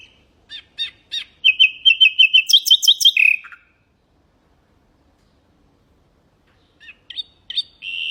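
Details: Common nightingale song used for tutoring goldfinches and canaries: a few sharp chirps, then a fast string of rapid repeated whistled notes, a higher trill and a falling slur, then a pause before more chirps resume.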